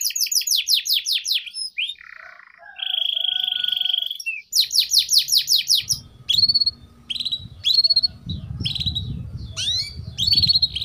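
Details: Canary lure song for young canaries, long and energetic: quick downslurred runs, a steady buzzy roll, more downslurs, then scattered sharp chips over a low rumbling background noise.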